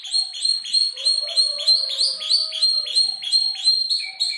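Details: Five-month-old canary imitating tutor birds repeats bright chirp phrases roughly four per second, with a faint low hum underneath.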